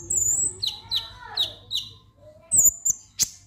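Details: Lovebird's 'ngek ngek' vocalisation, meant to set other lovebirds singing: a high thin whistle, then four evenly spaced falling squeaks about every third of a second, ending in sharp clicks and a bright chirp over a low steady hum.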